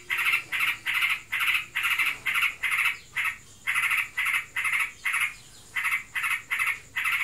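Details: A Yellow-vented Bulbul (trocokan) kept as a pet, in breeding condition, delivers loud rasping buzzy bursts in quick succession, with a short pause mid-sequence, against a faint steady whine.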